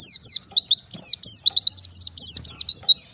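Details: Oriental white-eye separated from its flock, calling to others: a rapid, continuous run of thin, high chirps, mostly sharply falling or wavering notes, about five per second for three seconds, with no other sounds.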